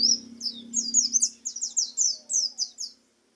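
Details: Oriental white-eye singing vigorously: a fast, clear series of about a dozen high, sweet twittering phrases over three seconds, ending abruptly, with a faint low hum beneath.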